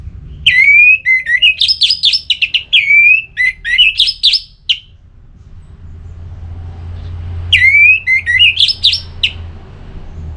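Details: Ngeplong-style orange-headed thrush song, used to get other birds singing: two long phrases of rapid, tumbling whistled notes with sharp upslurs, then a short third phrase after a quiet stretch with low hum.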